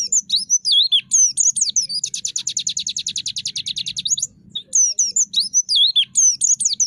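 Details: Pleci white-eye in the 'traktor' song style with 'nembak' bursts: looping, slurred high whistles, then a long, even, machine-like run of rapid notes for two seconds, a short pause, and more twisting whistled phrases, over a faint low rumble.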